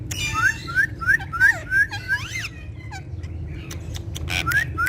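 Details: Indian ringneck parakeets, pet talking parrots voicing Urdu and Hindi, give a series of bright upslurred whistles, roughly three per second, then a few buzzy, harmonic notes, over low background rumble.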